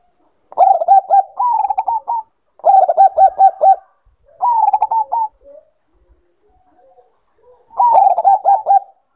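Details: Bangkok-type zebra dove in breeding condition giving bursts of rapid staccato cooing, each phrase of six to eight clipped notes lasting about a second and a half, four phrases with brief pauses, recorded in a quiet setting.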